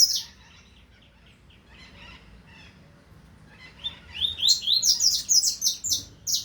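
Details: Double-collared seedeater in the 2025 season: a soft, indistinct start, then a lively run of high, clipped chirps repeated about three or four times per second, ending with a sharp final note.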